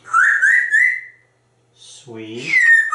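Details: Talkative pet African grey parrot indoors, chattering about corn and dinner: three rising whistled notes in quick succession, a pause, then a speech-like phrase ending in a long falling whistle.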